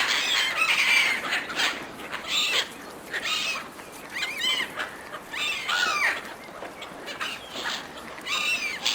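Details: Seagulls compete fiercely for food thrown to them by a person, giving harsh, squealing calls in overlapping bursts about once a second that rise and fall in pitch over a steady background hiss.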